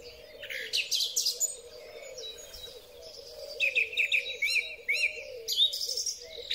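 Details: Spring song thrush on a Huawei P30 Pro recording: a high scratchy opening, then a run of short whistled notes repeated four or five times, and a final high phrase, with a low hum throughout.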